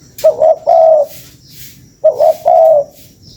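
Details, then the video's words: Spotted dove calling as a lure, two clear phrases about two seconds apart, each made of two quick coos and a longer mellow coo. "SUARA PANCINGAN BURUNG TEKUKUR"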